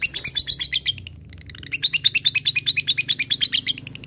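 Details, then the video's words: Fighter lovebird in ngekek mode, calling an opponent with a continuous fast run of high, squeaky chattering notes, about six per second, broken by a brief pause before an even louder stretch. "lovebird fighter gacor ngekek memanggil l4w4n"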